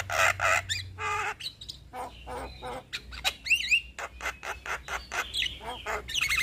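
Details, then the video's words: Male black-winged starling singing a varied medley of harsh raspy bursts, wavering whistles and chattering notes, with a low background hum. "Jalak Kebo Jantan gacor Ngeroll Panjang"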